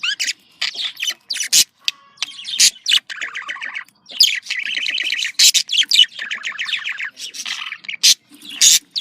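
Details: Budgerigars in breeding chatter, rattling trilled warble in runs of several seconds, interrupted by sharp clicks and high squeaks, with brief gaps.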